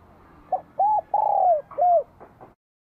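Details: A bell-voiced spotted dove in Vietnam sings vigorously in spring 2023, giving a single phrase: a short coo, a rounded note, a long falling coo and a closing arched note, then faint soft clicks.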